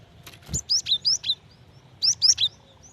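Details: A female cinereous tit calls to a male with two rapid runs of sharp, falling whistled chirps, four then three notes, after a brief thump.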